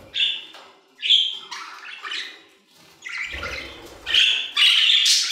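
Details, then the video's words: Singing budgerigars in an aviary trade short squawky chirps, then build into a continuous buzzy warble with sharp whistled notes near the end; a brief low thump midway. "Budgie Songs - 1 hour of Budgies singing in the Aviary"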